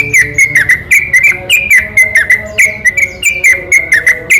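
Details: Yellow-vented bulbul in a night-time lure song meant to provoke other bulbuls; fast, evenly spaced whistles, slightly rising and falling, pour out without gaps.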